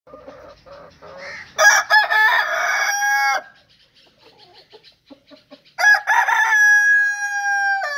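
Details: Rooster crowing: a few soft clucks, then a loud harsh crow lasting about two seconds, a quiet gap with faint clucking, and a second long drawn-out crow holding a steady tone.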